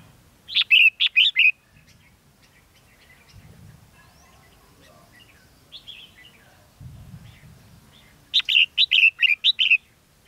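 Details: Decoy red-whiskered bulbul at a trapping site in Ha Nam, Vietnam, 13 November 2016, singing two loud bursts of quick, clear, chirping phrases about eight seconds apart, with a soft warble between and low rustling.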